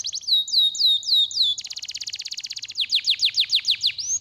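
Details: Canary song used to stimulate lazy canaries to sing: loud high tours of rapidly repeated notes, first slow down-slurred whistles, then a fast dry trill, then swooping down-slurred notes about four per second.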